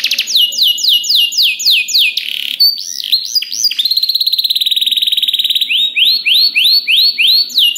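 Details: Canary master song meant to make other canaries answer: high, clear whistled notes in fast repeated falling sweeps, a rolling rapid trill in the middle, then rising slurred notes repeated about three per second.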